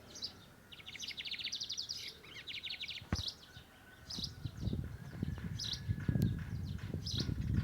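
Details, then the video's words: Lined seedeater (bigodinho) song in torneado style, opening with fast buzzy trilled note series, followed by spaced high chirps over a rising low rumbling background noise. "Bigodinho cantando"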